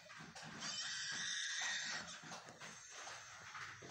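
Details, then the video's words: A lyrebird, a bird of Australia, makes a sound just like a human child: a bleating, child-like wail with harsh, breathy overtones, held over a second then repeated more softly, with faint background noise. "Lyrebird बिल्कुल इंसानी बच्चों जैसी आवाज निकालता है।"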